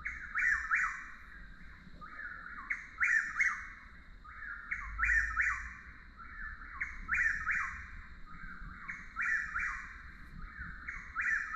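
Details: Chuck-will's-widow calling continuously in steady rhythm, one emphatic whistled multi-part phrase roughly every two and a half seconds, about five in sequence, each ending in a downward slur; a constant high-pitched drone and low background hum underneath.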